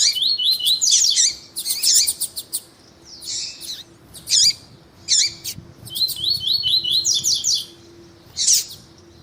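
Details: Lined seedeater song and calls, with a female calling to stimulate a male: bursts of high, buzzy twittering in quick runs of clipped notes, separated by short pauses, over a faint steady low hum.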